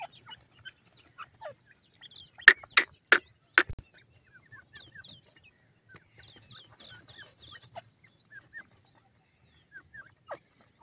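A francolin gives four loud, harsh, grating notes in quick succession. Soft, high chirps and twitters from small birds continue throughout.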